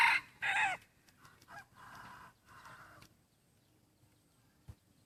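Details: Crowing of a 50% red junglefowl hybrid rooster of the second generation, black with red plumage, moulting, voice slightly shifting: loud harsh opening bursts then a run of shorter syllables and two drawn notes, ending by three seconds, then near silence with one knock.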